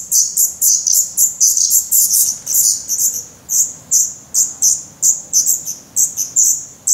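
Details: Growing Black Redstart chicks, feathered and hungry, begging in their nest in Portugal on 17 May 2020: quick series of shrill, hissing chirps, tightly packed at first, then more spaced.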